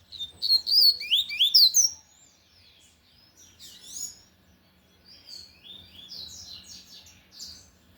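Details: Lined seedeater (coleiro de gola) singing loudly in the Tui Tui song style: a burst of fast, high, sweeping whistled notes over about two seconds, followed by softer scattered chirps and twittering phrases.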